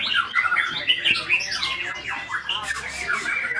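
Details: White-rumped shama song: sharp whistled notes and quick slurred phrases in short bursts, followed by scratchy, buzzy high notes toward the end.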